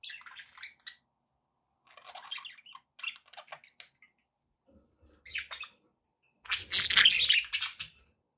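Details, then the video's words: Pet budgies chirping in short scratchy bursts of high chatter separated by pauses, ending in a louder, denser outburst of squawky warbling with a low thump underneath. "relaxing budgie sounds"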